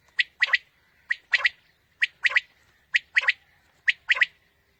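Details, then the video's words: Quail calling as a morning hunting lure: a clean, steady series of three-part phrases, each a single note followed by a quick double note, repeated about once a second in a quiet setting. "Quail Calling 2020 | Batair Ki Awaz suba ki shikar Ki liye"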